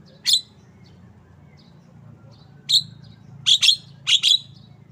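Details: Javan myna calling with isolated harsh chirps at first, then quicker doubled scratchy notes in close pairs, against low steady background noise.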